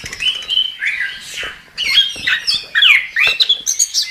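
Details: Chestnut-capped thrush (anis kembang) singing vigorously: a rapid jumble of whistled, slurred phrases and sharp chirps, some notes rising and others falling, with brief gaps between bursts.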